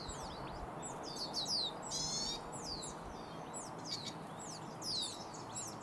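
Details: Wild turkey chicks in the Sierra foothills of California, USA, peeping steadily in high, downward-sliding notes from several birds at once, with a brief buzzy rasp partway through and soft outdoor noise throughout.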